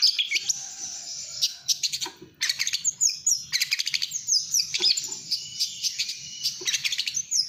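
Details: Gacor speed rapet performance by a cendet, or long-tailed shrike: dense high warbling punctuated by clicking, rattling bursts and brief pauses between rapid phrases.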